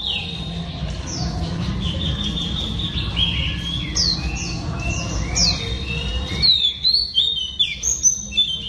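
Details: Singing female Oriental Magpie Robin, used to provoke males, gives rich whistled phrases with sweeping slurs, then sharper, louder chirps and high upslurred notes toward the end; a faint low hum runs underneath.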